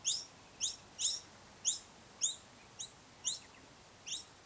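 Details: Noisy miner filmed while nesting, recorded on a Canon DSLR: eight bright, sharp chirps, each quickly falling in pitch and spaced about half a second apart, with quiet background hiss between them.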